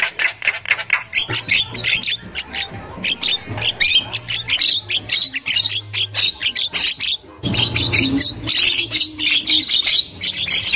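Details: Wild female Javan myna chattering, used to stimulate young mynas: an almost unbroken stream of rapid, scratchy clicks and harsh notes, a brief pause midway, then renewed dense chatter over low steady hum.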